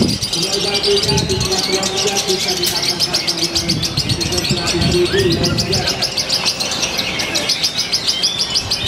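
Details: Lovebird from Purwakarta, Indonesia, singing in a new, flamboyant style with ever-tighter pauses; rapid, dense high chirping trills run almost continuously, with low voices and rumbling underneath.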